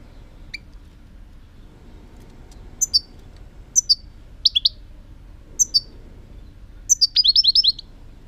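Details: European goldfinch with scattered crisp, high chirps that build into a rapid tinkling trill of about six quick notes at the end. The setting is otherwise quiet.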